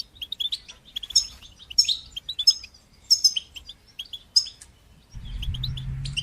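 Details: Goldfinch song in batbata and satsata style, meant to encourage goldfinches and train young birds to sing: clipped, sparkling chirps in quick, separate bursts, followed near the end by a steady low hum beneath further twitters.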